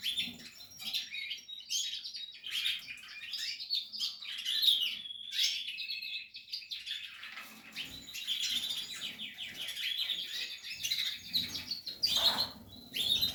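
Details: Breeding Portuguese harlequin canary at nest-building time, delivering a long continuous song of fast buzzy trills and sharp high notes that rise and fall, with soft low shuffling sounds underneath.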